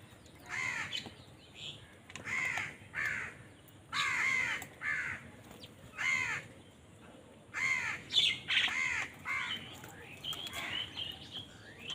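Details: Crows competing for food call over and over in a dense series of raucous, nasal caws, some doubled, with loud bursts about every half second to second for twelve seconds.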